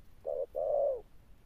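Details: Wild-caught spotted dove cooing in the 'sấm thổ' thunder-tone style: a short low coo followed by a longer, steady coo that falls slightly at the end. The pair lasts under a second against a quiet background.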